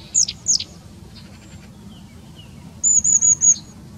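Long-tailed tit giving thin, very high calls: two sharp downslurred notes, then a quick run of sibilant 'see' notes.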